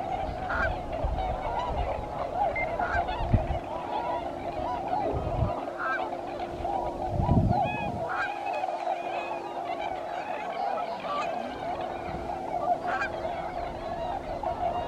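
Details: Large flock of tundra swans stopped at Alymer during migration toward Arctic breeding grounds, calling together in a constant mellow hooting chorus with occasional louder single notes and low thumps.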